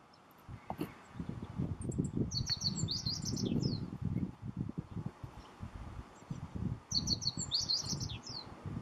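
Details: Meadow bunting singing at Miho Citizens' Forest: two short, bright, high twittering phrases of quick chirps and trills, roughly five seconds apart, over a steady low rumble of wind or distant noise.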